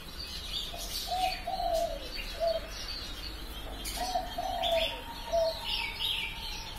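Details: Spotted dove lure call of the pesum lapis ketiga style, used to attract doves: soft, low cooing phrases of several notes, repeated twice with a pause between, over faint background chirps from other birds.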